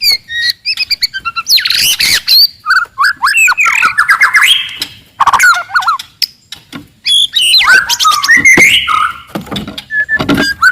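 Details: Forest white-rumped shama singing very loudly and aggressively to provoke rivals: a rich, rapid medley of whistles, harsh squawks, rattles and rising slurs in dense phrases with short pauses.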